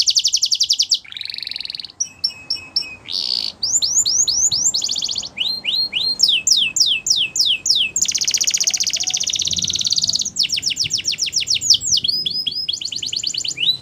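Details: Varied canary song from the wild, switching every second or two between dense buzzing rolls, fast trills, and series of sharp descending notes over nearly fourteen seconds.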